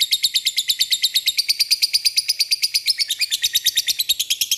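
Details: Lovebird giving a lure call meant to draw a response from and call out rivals: a rapid, harsh, chattering series of high buzzy notes, about three per second, sustained steadily throughout without pause.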